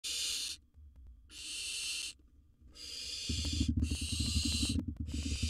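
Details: Wild barn owl in a monitored nest box, filmed while swallowing large prey: four harsh, breathy hissing bursts, each under a second, separated by short gaps, with low scraping and knocking from movement in the second half.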